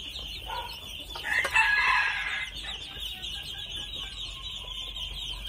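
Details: Two-month-old red junglefowl: one loud, harsh, harmonic call of about a second and a half rises midway, set against a steady high-pitched buzzing background and a few faint clicks.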